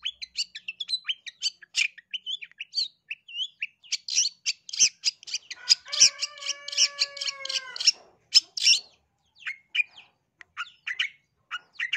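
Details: Long-tailed shrike from East Java, used as a lure so other birds sing aggressively: a long, busy chatter of high chirps and trills, with a drawn-out harmonic nasal note in the middle.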